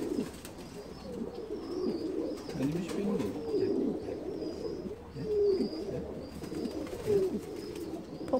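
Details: Ornamental Saltanat pigeons from a breeder in Bursa, Turkey, a breed once reserved for Ottoman palaces and called parrot-like: low rolling coos in wavering, downward-swooping phrases, about one every two seconds, with faint higher chirps and room echo.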